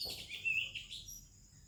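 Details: Brief morning phrase from an Oriental magpie-robin, with other birds around: one clear sweet whistle that holds steady, then slides down, followed by a softer trailing note.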